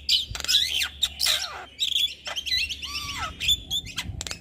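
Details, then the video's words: Javan myna, white-eyed jalak kebo, used to encourage lazy birds to sing: loud high whistles, trills and squeaky slurred notes with harsh rasps, over faint low hum. "Pancingan Burung Jalak Malas Bunyi Rutin Kasi Pancingan Suara Jalak Kebo Mata Putih"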